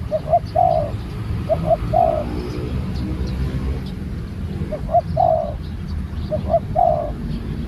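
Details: Spotted dove, a newly trained bird taken out for training, giving four short cooing phrases of quick soft notes ending in a longer, lower, throaty coo, spaced about two seconds apart, over a steady low rumbling background.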